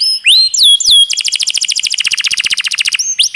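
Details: Canary training recording: rising whistles give way to a fast rhythmic roll of repeated notes lasting about two seconds, ending in more upswept whistles.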